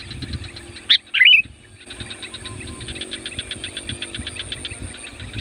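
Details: Kutilang or sooty-headed bulbul giving a loud calling song to attract wild bulbuls: a sharp note and a quick bubbly whistled phrase, then a steady train of faint high chirps.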